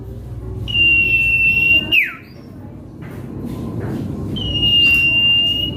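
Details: Common Iora (cipoh kacat) song used as a lure to provoke rival birds: a long, steady, high whistle ending in a quick downward slur, a pause with faint background noise, then another long level whistle begins.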